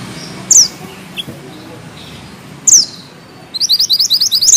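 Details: Bushchat (mantenan gunung) giving two sharp, high, downslurred notes a couple of seconds apart, then launching into a quick run of crisp, repeated high twittering notes.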